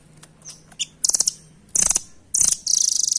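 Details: Velvet-fronted nuthatch, no longer found in the wild locally and seen only at bird markets; a few thin high chips lead into three rapid, sharp, high-pitched rattling bursts of repeated notes, the last one longest.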